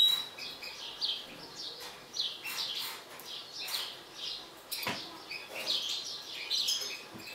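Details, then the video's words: European goldfinch, a mutant bird described as agitated, giving dense, rapid high twittering and chirping phrases that run almost continuously, with a sharp broadband click near the five-second mark. "حسون طفرة هائج"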